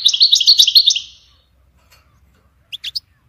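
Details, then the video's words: One-second rapid trill of bouncy high notes from a European goldfinch, dying away into silence and followed by three sharp quick chirps near the end. "Goldfinch ringtones"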